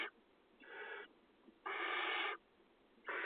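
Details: Begging Barn owl chicks at a nest box in Israeli farm fields, 2020 nesting; a softer hiss, then a long loud wheezing screech, and another starting as it ends.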